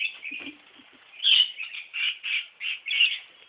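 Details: Parrots of Lake Conjola call in a string of loud, grating squawks repeated roughly every third of a second after a softer chattering start, with faint wing flutter.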